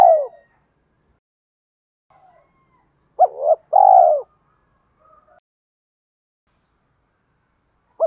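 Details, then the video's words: Decoy spotted dove calling to attract wild doves: a falling coo at the start, then a short note plus a long sliding coo, with faint soft notes and a final clipped coo, otherwise silent. "Chim Cu Mồi/ cu gay kich boi nhanh noi thúc gáy gọi"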